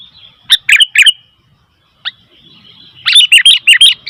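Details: Noisy sooty-headed bulbul: a short group of three chirps, a single sharp note after a silence, then a fast run of bright, bouncing chirps.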